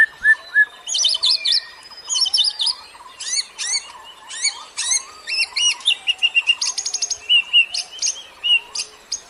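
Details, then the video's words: Lure birdsong meant to draw in other birds: bright high chattering phrases repeated in short bursts, ending in a quick series of clipped chirps, with a lower steady warble behind. "KICAU BURUNG PEMIKAT"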